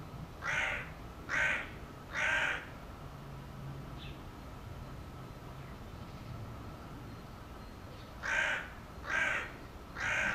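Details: Hooded crow giving two bursts of three rough, grating caws each, about a second apart, separated by a quiet gap with faint distant chirps and a low hum.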